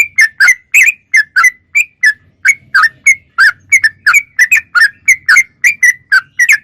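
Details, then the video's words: Sooty-headed bulbul singing steadily, used to lure young birds into singing: short bright whistled notes, singly or doubled, about three per second, over a faint low background murmur. "Suara Trucuk Gacor Super Jernih"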